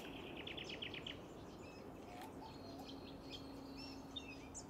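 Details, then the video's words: Woodswallows, white-breasted, at a Brisbane wetland in Queensland, May 2023, filmed on Canon R7 and R5: a fast series of about eight bright chips opens, then scattered sharp chirps and a faint steady low hum. "White-Breasted Woodswallows at Sandy Camp Wetlands, May 2023"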